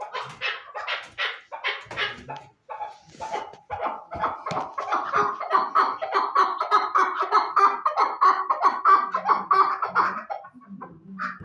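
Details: Chukar partridge calls: a few separate harsh notes, then a steady run of rhythmic chuck-like syllables that builds into an even, continuous chatter before it breaks off near the end.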